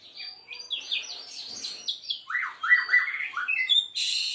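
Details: White-rumped Shama (Murai Aceh), seven months old, performing a 'main sujud' bowing display: quick run of sharp, varied whistled and harsh notes, downslurred clips in series, ending in a loud buzzy burst.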